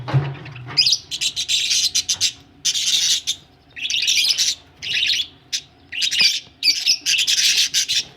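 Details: Budgerigars ready for laying eggs give loud, harsh, buzzy warbling phrases about half a second long, repeated with short gaps between them; a low thump is heard at the very start.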